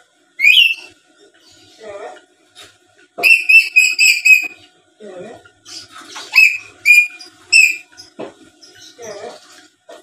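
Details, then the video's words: Black-capped lory, a tame talking bird, mixing a rising whistle, quick series of bright whistled notes in short groups, and low raspy mumbling phrases between them. "Suara Asli Burung Nuri Paltem Gacor Pintar Ngomong dan Ngoceh² Buat Pancingan"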